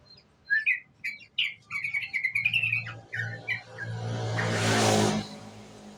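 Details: Young sooty-headed bulbul used as a lure, giving a run of short chirpy whistled notes with rising and falling phrases for about three seconds, followed by a loud broad rushing noise near the end.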